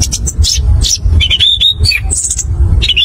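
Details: Orange-headed thrush, locally anis kembang, singing in the rolling, open ngerol ngeplong style used as a lure to prompt other birds to sing: short clear whistles sliding around high pitch, one level whistled phrase midway, over a steady low rumble.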